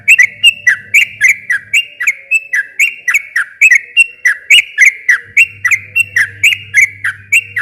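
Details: Fast, unbroken sooty-headed bulbul song used as a lure to get a quiet bulbul singing again: crisp bubbly chirps with upward and downward slurs, nearly four per second, over an intermittent low hum.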